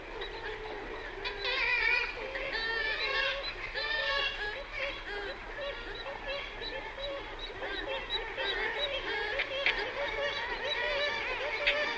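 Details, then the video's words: Black-legged Kittiwakes in a colony on cliffs call in a dense chorus, recorded at medium-close range, with nasal wailing calls overlapping constantly, rising and falling, and echoing off the cliff face. "Kittiwakes Calling MCU - MP In Colony On Cliffs. Echo From Cliff-Fac"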